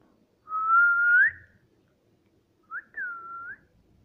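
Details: Pet Indian ring-necked parrot indoors giving two clear whistles, a long steady tone that lifts at the end, then a shorter one that dips and rises again, with silence between.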